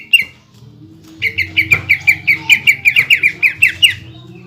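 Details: Caged greater green leafbird singing in a lively, full-throated style meant to provoke other leafbirds: a rapid run of about fifteen sharp, ringing notes after a brief opening chirp, over a low steady hum.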